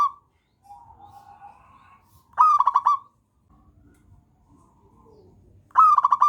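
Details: Local wild zebra dove (perkutut) song, used as a master recording to draw out singing: two bursts of a rapid, pulsed, rolling coo with bright ringing overtones, separated by softer low warbling notes and quiet gaps.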